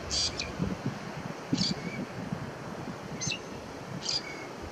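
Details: Lesser grey shrike singing on Fuerteventura in 2018: short, high squeaky notes about every second and a half, some with a thin lower whistle, over a steady low rumble of wind.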